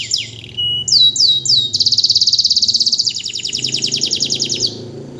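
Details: Canary, a vocal teacher bird, in strong song right after moulting: a few swept whistled notes give way to a long, dense, loud trill that softens into a steady pulsing roll.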